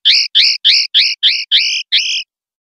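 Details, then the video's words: Clean-style song of a common linnet from a 2021/2022 collection: seven sharp, bright hooked notes given in quick, steady succession, then silence. "CD PARDILLO LIMPIO 2021/2022"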